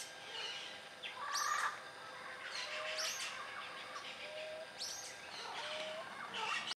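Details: Yellow-naped Parrots in natural habitat in Costa Rican dry forest, giving harsh, grating squawks and screeches at irregular intervals, with overlapping calls and a faint hiss of background.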